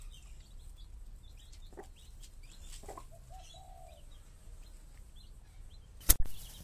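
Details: Hens caring for chicks give two soft low clucks and a short murmured note. Faint high chick peeps are scattered throughout, and a sharp loud click comes near the end.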